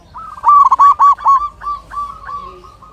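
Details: Local zebra dove, a keen singer, gives a quick, loud run of rolling coos that softens into more widely spaced notes at the same pitch.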